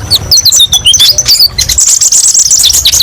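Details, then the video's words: Quick, very high chirps and slurred notes from a kolibri ninja sunbird, tumbling into a dense twittering trill midway through. "TERAPI BURUNG KOLIBRI NINJA: BANYAK VARIASI TEMBAKAN PEDES & MASTERAN KONIN PALING DICARI"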